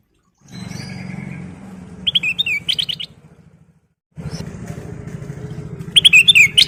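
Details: Kutilang emas singing actively as a lure: rapid bright chirps and twisting whistles come in two bursts over a steady low engine rumble from passing traffic.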